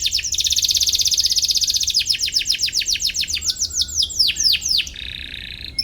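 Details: Singing canary, used as a lure to provoke rivals and teach young birds: a loud rapid rattling trill for two seconds, then repeated down-slurred whistled notes, closing on a softer steady buzz.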